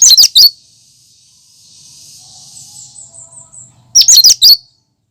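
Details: A cucak kinoi sings its natural, unmimicked song: two bursts of quick, piercing high chirps, four or five notes each, about four seconds apart. Between them runs a steady high hiss over a faint low murmur.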